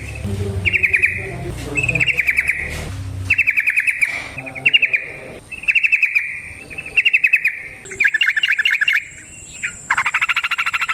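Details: Trucukan (yellow-vented bulbul) used as a lure: harsh buzzy chattering bursts, each a rapid train of rattling pulses, repeated about every second, with a low rumble early and a thin steady high whine behind.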